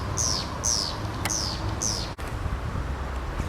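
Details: Tawny-flanked prinia calling loudly from a perch on flooded green marshes beside the Nairobi river, Kenya, at the start of the rainy season: four high, thin, downslurred whistled notes about half a second apart, over heavy steady background noise.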